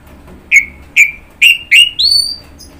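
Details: Orange-headed thrush giving four evenly spaced clear whistled notes, roughly twice a second, ending on a higher rising whistle.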